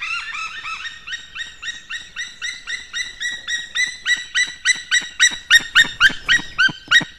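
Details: Male white-tailed eagle, 19 May 2016 around six in the morning, calling at the nest with fish: a long, accelerating chain of about twenty-five ringing yelps that grows steadily louder and sharper, nearly clean of other sound.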